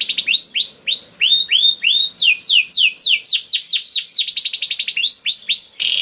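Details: Canary kenari in lively 'gacor' song with 'cengkok istimewa' variations: steady chain of arching whistled notes, several per second, changing pitch in phrases and closing with a short buzz.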